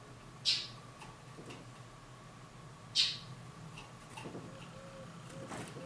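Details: A silil gives its song: sharp, high, bright single notes about two and a half seconds apart, with softer faint chips and a low background hum between them.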